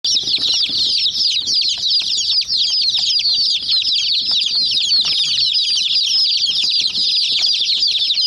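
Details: Many domestic chicken chicks peck at a small toy jeep, filling the air with a dense, continuous chorus of high, thin peeping chirps overlapping without pause, plus light tapping and clicking from the pecking.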